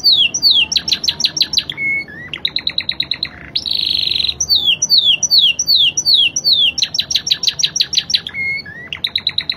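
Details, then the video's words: Spanish Timbrado canary with a fast-changing, clear song, kept as a tutor bird: quick runs of downslurred chirps alternating with rapid clicking rattles and a short buzzy trill, with low hum beneath. "Kenari spanish timbrado gacor irama mewah ala spanyol"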